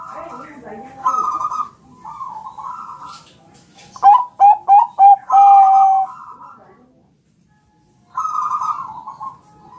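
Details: Bangkok-type zebra dove champion song played as a lure to make birds answer: short soft cooing bursts, then five rapid clipped coos followed by a sustained steady tone, quiet pause, and another cooing burst.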